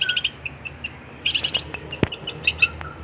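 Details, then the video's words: Energetic long-tailed shrike song used for training songbirds: quick triplets of sharp high chirps separated by pauses, with a single sudden click near the middle and a quiet background. "kicauan cendet gacor"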